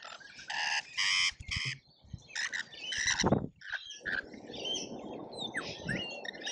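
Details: Flock of lorikeets crowding a feeder in Australia during a feeding frenzy, recorded with a feeder camera: loud grating screeches in clustered bursts, a sharp thud midway, then broad rustling noise under faint chirps.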